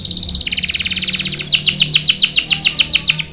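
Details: Lively canary song to lure and train young or silent male canaries; a dense high trill shifts into a rhythmic string of loud, clipped downward notes at a steady quick pace, with faint low background hum.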